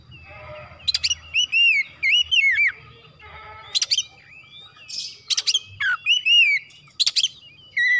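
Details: Oriental magpie-robin, kacer, pouring out a long varied song of whistles, chatters and harsh buzzy notes in short bursts, with quieter chirps between phrases.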